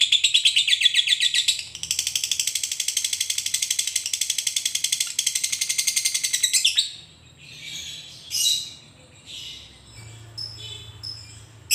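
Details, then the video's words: Lovebird ngekek song, a long chattering style played as a training recording to get lovebirds singing: a dense, rapid, high-pitched buzzing trill running almost unbroken for about seven seconds, then scattered short sharp chirps with quiet gaps. "Masteran Suara Lovebird ini mampu membuat Lovebird anda jadi Gacor"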